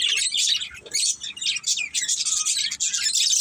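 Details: Pet budgerigars in a family group twitter in a dense stream of sharp, high chirps and buzzy warbles, overlapping with almost no gaps.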